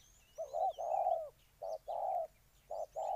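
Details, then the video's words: Spotted dove from Ninh Thuận, Vietnam, cooing in low, mellow paired notes: a short coo followed by a longer, slightly falling coo, repeated three times, with faint high chirps from other small birds behind. "Cu gáy Ninh Thuận"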